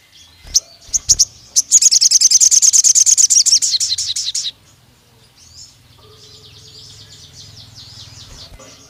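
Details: Pied fantail in full long-burst song ('nembak panjang'), used to provoke other birds: a few sharp high chips, then a dense rattling run of squeaky notes for nearly three seconds, fading into soft distant chatter.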